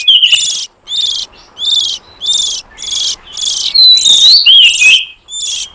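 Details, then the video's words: Wild oriental magpie-robin lure recording, meant to draw in forest birds: a series of loud rasping buzzy notes with clear whistled rising and falling slurs, ending in a quick jumble of whistles. "Suara pikat burung kacer liar hutan ampuh"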